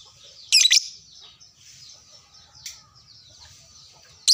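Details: Lovebird of the fighter kind answering another lovebird: a sharp, harsh screech, then low twittering and one faint squeak, ending on another loud shriek.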